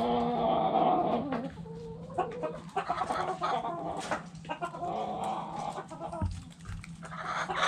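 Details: Backyard chickens in a coop, hens clucking: a busy flock chorus of short, overlapping clucks and squawks, with a steady low hum underneath.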